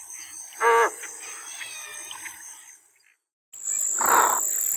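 An American white ibis gives a single short, nasal honk, then a second rougher grunt after a pause, over a steady high insect hum.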